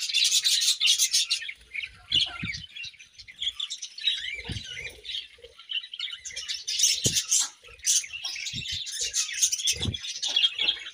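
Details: Morning chirping of budgies, a continuous busy twittering of high chirps and warbles with occasional soft low knocks.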